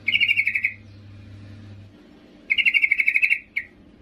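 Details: Calling female yellow-vented bulbul summoning a male, used to lure males: two bursts of roughly ten quick, even, bubbly notes, the second ending with one brief extra note.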